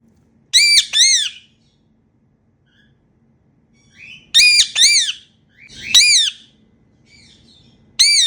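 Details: Happy playtime calls from talking pet Indian ringneck parrots flying around indoors: short clusters of shrill, arched squawks, two or three together, coming in irregular bursts with quiet gaps between.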